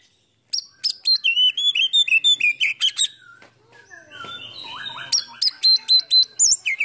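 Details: Kacer (Oriental magpie-robin) lure song rich in fill-in phrases, the bird spreading its tail in a cobra-like display; rapid ringing whistles, a quiet muttered pause, then sweeping downslurred notes and high zigzag whistles.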